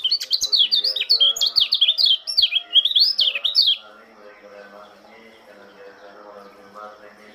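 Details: Lombok Oriental white-eye singing in the morning: a loud, fast run of high, sweet, tumbling twitters and slurred chirps for nearly four seconds, then stopping, leaving only a soft background hum.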